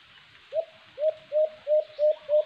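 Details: White-eared brown dove (alimokon) in a cage-trap hunting setting: six low, rounded hoots, each rising slightly then fading, evenly spaced about a third of a second apart, over a soft hiss.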